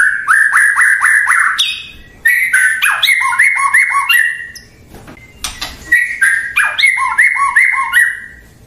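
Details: White-rumped shama (murai batu), a bird kept for its song, gives rapid repeated whistled notes, about three per second, with paired lower echoing notes and high sharp clicks, in bursts separated by brief pauses.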